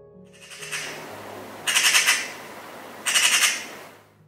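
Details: In the UK, a Eurasian magpie gives one of its most common calls: two harsh, rattling chatter bursts about a second and a half apart, each a rapid string of dry notes, over quiet background hum.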